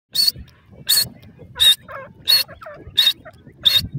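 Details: Female grey francolin (teetar) calling while teaching her young: harsh, broadband notes repeated steadily about every 0.7 seconds, six in a row, over low background rumble.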